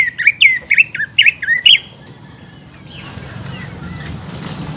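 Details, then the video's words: Greater green leafbird song, used as a lure to stimulate birds to sing after moulting: five loud, sharp chirped notes in quick succession over about two seconds, then near silence with faint distant chirps over a low background hum. "PANCINGAN CUCAK IJO GACOR UNTUK CUCAK IJO HABIS MABUNG"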